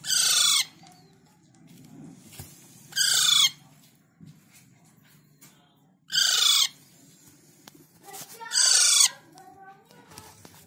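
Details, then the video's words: A young Alexandrine parakeet gives four loud, harsh, screechy calls, each about half a second long and spaced roughly every three seconds, over a faint low hum. "Cute Baby alexandrine parrot natural sound"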